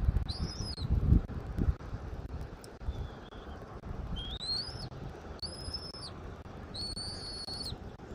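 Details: Bald eagle at the nest in Southwest Florida, caught on a nest camera on 13 January 2024 at 14:17: a faint short whistle, then four high thin whistled calls that rise or hold level, following a burst of low rumbling noise.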